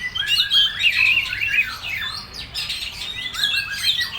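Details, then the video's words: Full materi song by a kacer, the oriental magpie-robin: fluty warbled phrases and buzzy slurs in two or three loud bursts separated by short gaps. "Suara burung KACER full materi"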